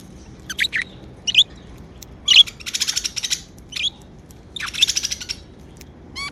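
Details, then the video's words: Happy pet budgerigars chattering at home: short high chirps alternating with rapid, buzzy trilling bursts roughly once a second, irregular in rhythm, with a faint hum beneath. "Happy Budgie Sounds | Chirping sounds | parakeets sound | budgie sounds"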